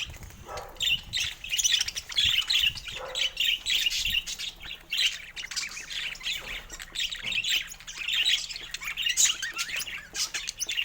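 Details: Budgerigars kept as pets chatter during a morning toy play session, giving continuous rapid high-pitched warbling chirps and scratchy squawks that overlap with barely a pause throughout.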